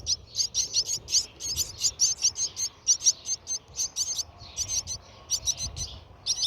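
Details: Brahminy starling inside its nest, with feeding noted: a dense run of loud, high, scratchy chirps, often doubled, with only short pauses.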